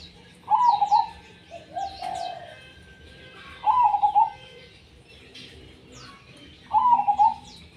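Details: Zebra dove song in the tumpang sari style. Three loud trilled coo phrases arrive about every three seconds, with a softer, lower coo between them. Faint high chirping from other birds fills the background.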